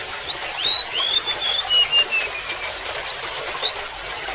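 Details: A golden-bellied gerygone sings a falling cascade of thin whistled notes, then repeats the high upslurred opening, with a steady background of trickling water.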